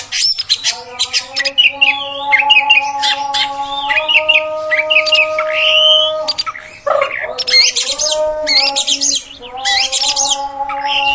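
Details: Oriental magpie-robin, female sound played to make males agitated: long run of buzzy rasps, rolling warbles and sharp squeaks, pausing briefly midway, with a continuous humming drone beneath.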